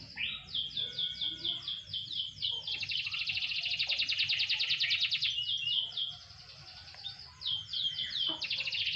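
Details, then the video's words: Canary singing while set out for light sunbathing: rapid repeated trills of sharp notes, then a long buzzy rolling trill, a brief pause, and further fast note series. "burung kenari jemur tipis tipis"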